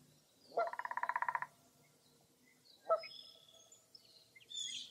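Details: Birds at Mirror Lake State Park, Baraboo, Wisconsin, on a foggy early April morning. A buzzy pulsed trill and one harsh call are heard, with faint high thin whistles over a soft background hiss.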